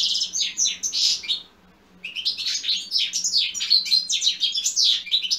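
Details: European goldfinch song used to stir up other goldfinches into singing: bright, rapid liquid twittering with tinkling, buzzy notes, a brief silent gap before a second burst of fast chattering phrases, faint low hum beneath.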